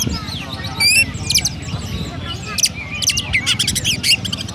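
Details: Oriental magpie-robin owned in Kendal Rejo, Pemalang, Central Java, Indonesia, singing gereja-style: scattered high chirps and a brief trill early, then a dense rapid series of sparrow-like chips toward the end, over steady low noise.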